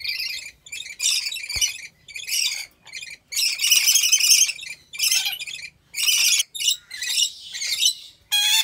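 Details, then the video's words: Rainbow lorikeets at a wildlife park in Aceh Besar, Aceh, Indonesia, producing loud, grating high screeches in rapid overlapping bursts, nearly continuous chatter with brief gaps and a few sharper squeaks near the end. "Rainbow Lorikeet Sounds"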